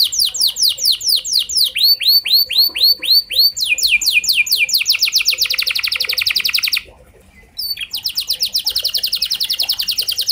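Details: Canary song used as a lure to get other canaries singing: very high, fast trills of repeated swooping notes that change pace from slow rolls to rapid rattles, with one brief pause before the trilling resumes.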